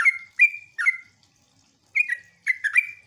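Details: Sooty-headed bulbul lure song intended to provoke answering bulbuls: three cheerful gurgling chirps, a silent pause of about a second, then a renewed quick burst of warbled notes.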